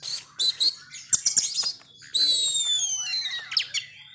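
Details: Agitated Oriental magpie-robin ('kacer setan alas ngamuk') giving scratchy clicking notes, then a long clear whistle sliding slowly downward, followed by quick chattering phrases; faint low background hum.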